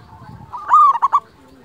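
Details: Local zebra dove with a deep, full voice, played to lure wild doves and to train quiet birds: a soft low note swells into a loud rising coo, followed by three quick, throaty pulsed notes.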